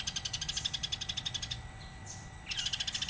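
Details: House sparrow in lively, nonstop chirping form, recorded as a master track for teaching songbirds: a fast train of high, sharp chirps for about a second and a half, a brief gap with a thin sweeping note, then the rapid chirping resumes.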